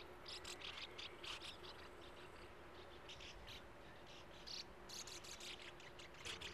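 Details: Sand martin colony at burrows in a steep earthen bank by a gravel-pit lake, with young at the entrances. Short harsh buzzy chirps come in clusters, with quieter gaps between groups of calls, over a low steady hum.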